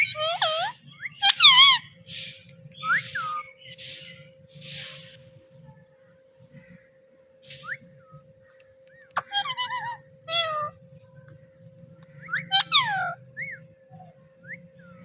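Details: Playful pet parrot saying "Mitthu Mitthu"; a few scattered, curving, harmonic talking syllables early on, a long quiet stretch, then more bursts near the end, all over a constant low hum and muffled background rumble.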